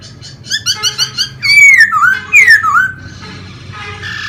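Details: Laughingthrush kept as a cage bird, singing as it fans and dances; quick chipping notes lead into two loud, swooping, falling whistles, then a softer, scratchy warble.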